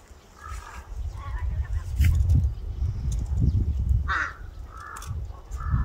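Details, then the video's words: Several harsh crow caws at uneven intervals, one sharper call standing out, over loud low rumbling noise. "까마귀울음소리 Crow crying ASMR"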